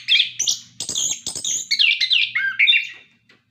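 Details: Captive orange-headed thrush delivering a continuous song for prompting other birds: dense, rapid warbled phrases mixing harsh chatter and bright whistles, with a faint low hum behind.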